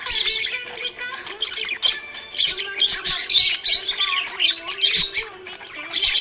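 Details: Budgerigar in a happy mood, chirping nonstop in rapid bright squawks and twitters that rise and fall in bursts, over a faint sustained low tone.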